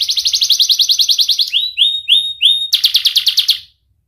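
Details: Young canary song used as a lure for young canaries learning to sing; a fast bubbling high trill, four slow rising whistled notes, another quick trill, then silence.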